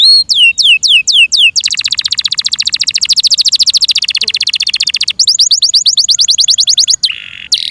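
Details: Kept Yorkshire canary singing: five downslurred whistles, a long rapid high rattle of quick repeated notes, a faster trill and a brief lower buzzy ending.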